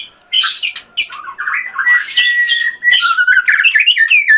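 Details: White-rumped shama pouring out dense varied song: harsh squawky notes mixed with clear whistles and quick rising and falling slurs, almost without pause.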